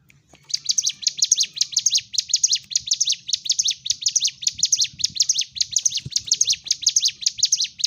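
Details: Sunda warbler delivering its combative song meant to trigger other birds: after a brief silent start, a sustained rapid stream of high, piercing chirps, tightly packed and repeated without a break.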